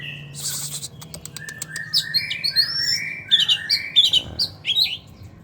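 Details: Captive Oriental magpie-robin (kacer) in breeding condition and dominant mode, sunned in the morning after bathing and a cricket feed, sings loud, varied whistled phrases sliding up and down with sharp chirps, about one or two notes a second, over a low hum.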